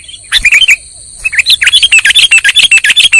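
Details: Sooty-headed bulbul lure call used in trapping: a short chirp burst, a pause, then an even series of clear, looping whistled chirps repeated quickly.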